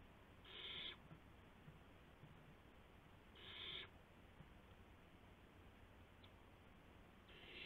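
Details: Owl during a night prey delivery of a gopher, April 7 2016 at 12:25 AM: raspy hissing screeches repeat every three seconds or so against quiet background noise.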